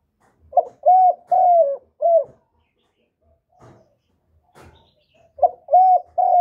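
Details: Spotted dove recorded directly, noise-free, as a lure for decoy birds: a four-note hollow cooing phrase, then soft taps, then the phrase begins again, its long middle coos gently falling in pitch.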